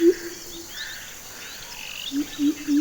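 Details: A Greater Coucal in Sri Lanka gives deep, hollow hoots: one drawn-out note, then three quick booming hoops about a third of a second apart, with faint higher bird chirps behind.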